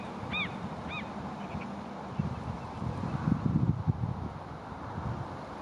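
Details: Wild mute swans in spring 2020 give two short nasal, slightly hoarse calls about half a second apart, then a faint third, over steady low rumbling wind and water noise.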